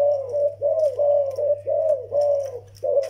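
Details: Young zebra dove with an old Vietnamese decoy dove: rapid run of rounded, slightly rising coo notes strung closely together, with a low steady electrical hum in the background of a small room.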